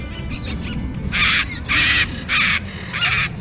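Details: Parrots flying overhead at the Asiatique Riverfront in Bangkok, Thailand: four loud, harsh, rasping screeches, each about a third of a second long, spaced roughly half a second apart, over a low rumbling city background.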